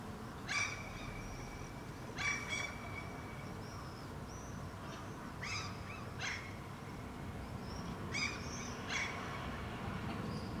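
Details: Two Common Gulls (Larus canus) calling back and forth in Helsinki, Finland, in June 2013: short harsh mewing cries in separate bursts every one to two seconds, with a few thin high whistled notes between them.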